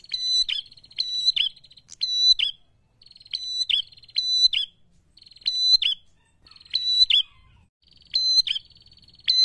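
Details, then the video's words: Energetic prinia singing aimed at provoking rival birds, a long run of doubled sharp chirps over a steady buzzy high tone, phrases roughly every second with short gaps, quiet surroundings. "Prenjak gacor ngalun ampuh memancing emosi lawan"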